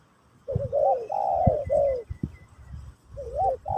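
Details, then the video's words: Spotted dove, Pesom or Kacuk song, for teaching a new bird: a looping rising coo runs into long mellow falling notes, then a gap and another looping coo, with light clicking knocks in the background. "Burung Terkukur Pesom/Kacuk...Sesi Mengajar Burung Baru"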